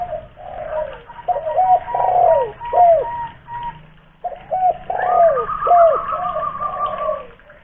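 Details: Spotted dove, a loud local lure bird from Kuningan, West Java. Two full cooing phrases, each of clipped notes and a sagging drawn-out coo, with a thin steady whistle-like tone running behind the second.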